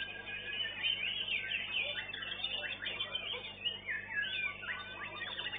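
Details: An Oriental magpie-robin, third-place winner at a songbird contest arena, sings a rich, unbroken stream of varied whistles and quick chattering phrases, high and fast, with a faint room hum behind.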